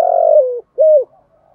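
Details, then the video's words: Decoy spotted dove cooing to provoke wild males into answering and fighting: a long, slightly wavering low coo that drops in pitch, a short pause, then a shorter level coo ending in a faint trailing note. "chim cu mồi thúc đấu và gáy gọi kích bổi rất xiêng gáy"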